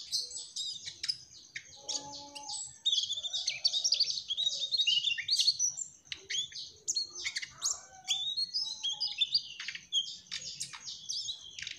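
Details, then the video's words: Mugimaki flycatcher giving an extended active song: long bursts of rapid high-pitched chirps and trills broken by short pauses, with a few soft lower notes between phrases. "Burung Sikatan MUGIMAKI TROTOL Gacorr"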